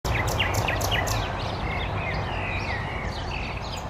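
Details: Nightingale singing in summer: a quick burst of sharp, repeated descending notes, then varied whistled and warbled phrases, over a steady low rumble of background noise.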